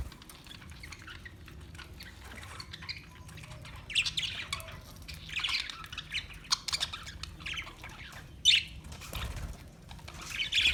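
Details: Chirping parakeets, scratchy squawks coming in scattered clusters, quieter at first and then busier, with one loud sharp squawk near the end, over a steady low hum and occasional soft rustles.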